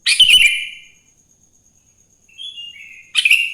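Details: Sooty-headed bulbul singing in the morning, a lure to get other bulbuls singing: a loud burst of bubbly, slurred whistles, a soft short warble midway, then another bright whistled phrase, over a faint steady high tone.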